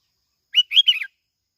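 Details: Bình Thuận, Vietnam: a bulbul, played as a decoy song, gives one cheerful bubbling whistled phrase of three linked notes lasting about half a second, with no other sounds.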